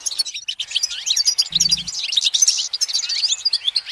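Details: Goldfinch on a branch in sunshine, singing a continuous cascade of bright chattering notes and quick rising slides, with a short low hum partway through.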